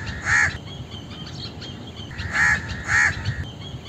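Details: Indian crow calling: three loud, harsh caws, one alone and then a close pair about half a second apart, over faint background chatter of other small birds.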